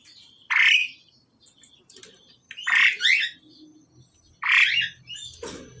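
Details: Three loud, harsh, rasping squawks from a male and female pied myna during pairing, spaced about two seconds apart, ending with a low thump and hum.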